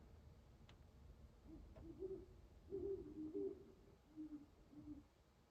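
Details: An owl just before dawn beside an ice-covered pond in Carver, Massachusetts, winding down after hunting, gives a run of low, hollow hoots, some doubled, about six notes over four seconds, over a soft low rumble with faint clicks.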